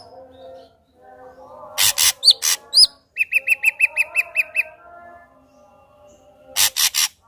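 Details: Energetic ashy drongo song, meant to draw another ashy drongo into singing: rough bursts and upslurred whistles, then a quick run of about nine clipped, evenly spaced notes, more harsh bursts near the end, faint hum beneath.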